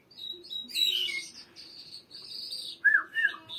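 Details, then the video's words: Iranian or Afghan jal-style lark singing: soft chirps lead into a harsh, buzzy trill, then a sustained hissing note and two loud, sharp whistled notes, over a faint steady hum. "Mashadi lounda larks irani afghani jal Singing (irani Mashadi Jal) [afghani jal] top jal مشهدي"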